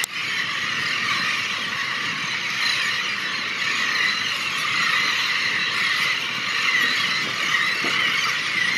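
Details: Steady, dense din of many overlapping high, squealing seabird calls from a large breeding colony on makeshift sand-covered habitat at Ft. Wool, Hampton Roads, plus a faint background rush; no single voice stands out.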